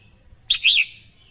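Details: Female red-whiskered bulbul uttering one bright, quick call: a sharp opening chirp followed by a rolling, slightly descending warble with a thin trailing tone. Low hum underneath.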